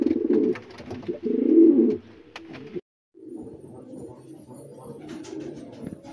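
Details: Young racing pigeons of 2022 at home in a garden, loud low throaty cooing in dense rolling bursts for about three seconds, a short silent gap, then softer continuous cooing with faint higher chirps.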